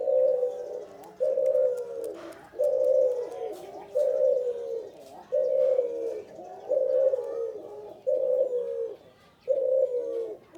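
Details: Male spotted dove calling vigorously, a low, soft, slightly descending coo around 500–600 range repeated in steady phrases about every 1.3 seconds, eight notes in a row, with faint clicks and small bird chirps behind.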